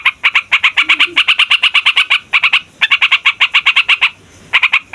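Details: Noisy fighter yellow-vented bulbul rolling its song to provoke other songbirds: rapid chattering notes in runs of about a second or two, with pauses between, including a longer silence near the end.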